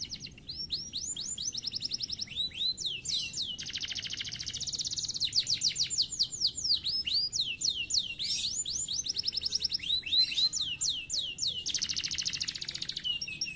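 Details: Canary singing a fast, varied song of high rising whistled sweeps, long rapid rattling trills and repeated chirps, delivered continuously with brief pauses.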